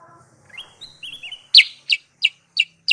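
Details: Sooty-headed bulbul lure sound for trapping. Soft, thin rising whistles open the clip over a faint low murmur, then strong, sharp, downslurred chips follow at steady intervals of about a third of a second.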